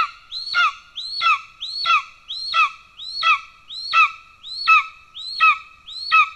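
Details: Golden eagle at a nest, Estonia, 17 July 2024, during the father's pigeon delivery. Nine evenly spaced piercing calls, each a quick rising whistle that breaks downward with harmonic overtones. The series is clean and unbroken.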